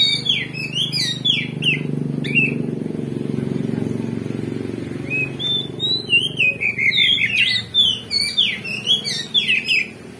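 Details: Oriental magpie-robin lure song, played to raise a rival magpie-robin's emotion and bring out its fighting spirit. Rapid bursts of sharp, downward-slurred whistles at the start and end, separated by a stretch of rumbling engine-like low noise.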